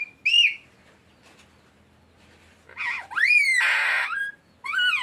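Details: Alexandrine parakeet, a green parrot, talking and saying "mitthu": loud, clear, tonal phrases with bending, arched pitch contours, a short note, then a quiet gap, then a rapid run of rising and falling whistled syllables ending in another arched note.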